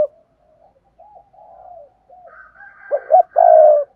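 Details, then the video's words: Spotted dove calling, used to lure wild doves: faint scattered low coos, then a louder burst of cooing notes ending in a long drawn coo with a faint higher tone above. "Tiếng chim cu gáy thúc gù sung, chuẩn dùng kích bổi"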